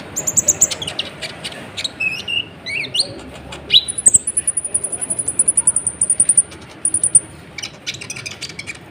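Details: Sunbird in full song, meant to provoke other birds: sharp high chirps and twittering notes open the phrase, followed by a fast, even, very high trill of rapid repeated notes lasting about three seconds, then more chirps.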